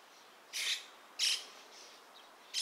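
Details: Dusky thrush, Turdus naumanni eunomus, at Gaikotsu-yama, Japan, 27 January 2021, with substituted background ambience. Three loud, harsh, high-pitched call notes spaced about half a second to a second apart.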